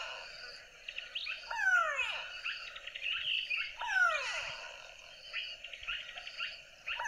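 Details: Grey go-away-bird (Corythaixoides concolor) in Botswana gives two loud, nasal, downward-sliding 'go-away' calls about two seconds apart, over a busy chorus of chirping insects and distant birds.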